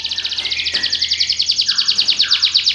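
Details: Belgian canary holding a steady, rapid pulsed trill of high notes, about eight per second, with lower slurred tones underneath.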